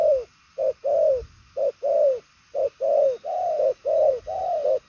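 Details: Purple-legged spotted dove cooing with speed and carry: pairs of a clipped coo followed by a long, full, slightly falling coo, repeated about once a second.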